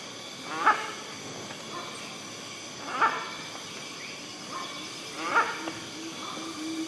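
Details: Hornbill calling in the forest of Rajaji National Park: three harsh, honking barks about every two to three seconds, each with a fainter echoing note after it, over a steady background hiss.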